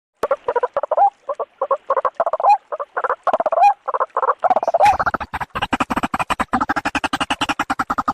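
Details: White-breasted waterhen call used as a lure for trapping, meant for both day and night; loud, harsh croaking notes repeated in quick rhythmic bursts, growing into a steady, faster throbbing series toward the end.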